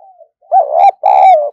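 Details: Spotted dove used as a lure for wild doves. Faint low notes come first, then a strong two-part coo: an undulating first phrase and a sustained second note that tails off gently. Nothing else is audible.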